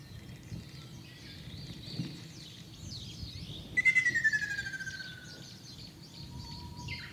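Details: In Shizuoka, Japan, on 2 June 2024, a Ruddy kingfisher, one of several in the area, gives a single descending rolling trill, loud at first and tapering off, set among busy high twittering of other birds.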